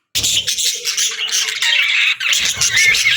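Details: Happy pet budgerigars chatter after a brief silence, pouring out high scratchy warbles and shrill chirps, with a short whistled note near the end.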